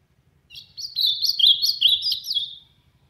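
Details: Loud song of an ultramarine grosbeak, sertão region: a rapid string of sweet, slurred warbling notes lasting about two seconds, each note swooping up and down before the phrase trails off, against near silence.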